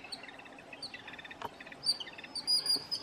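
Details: Jungle babbler giving quick bursts of short, harsh, evenly spaced chattering notes in clusters of three to five, with sharp high thin whistles and chirps from another bird overlapping near the end.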